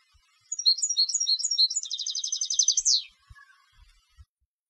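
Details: Singing competition European goldfinch: a run of tinkling, chirping high notes flows into a quick buzzy trill and a falling sweep, followed by a soft short call and a few faint low thumps.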